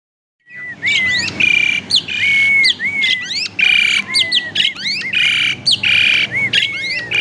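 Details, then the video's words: Captive Asian pied starling in a private collection, singing a varied lure song used to provoke other birds to sing: clear rising and falling whistles alternating with loud harsh chattering bursts and sharp high notes in quick succession. "Burung Jalak Suren Super Gacor, Pancingan Jalak Suren, Jalak Suren Bunyi Variasi"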